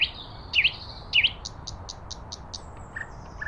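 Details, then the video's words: A common nightingale sings three loud, slurred dipping whistles, then a quick run of about seven sharp high notes, ending in faint thin notes over a soft hiss. "Nightingale Birdsong"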